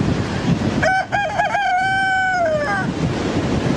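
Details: A rooster gives one full crow, opening with stuttering notes and then holding a long note that fades, over strong wind or surf-like noise.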